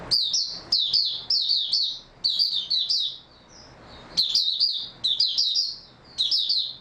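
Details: Oriental white-eye, 3 March 2022: near-continuous high twittering song in repeated phrases about half a second apart, tumbling slurred chirps, with one brief pause midway.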